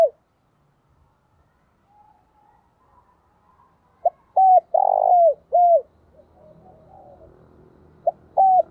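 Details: Lure spotted dove calling to draw in wild doves: a short note, then a series of loud, deep cooing phrases around 4 to 6 seconds, a rougher burring coo among them, and another coo near the end, with quiet pauses between.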